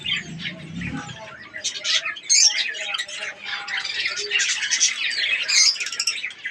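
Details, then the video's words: Budgerigars, called Australian parrots, in a breeding colony in Pakistan during breeding season, many birds chirping and warbling together in high rapid bursts, a low thud near the start. "australian parrots budgies ke birds colony"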